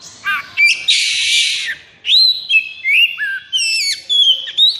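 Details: White-rumped shama in high breeding condition, kept caged, sings a rapid varied run: a harsh buzzy rattle followed by a string of sharp whistled and slurred notes delivered almost without pause.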